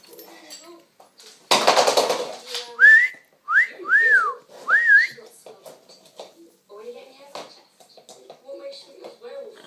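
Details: African grey parrot kept indoors, filmed from a distance because it stops when approached: a short harsh burst followed by three clear, looping whistles that rise and fall, with faint background chatter.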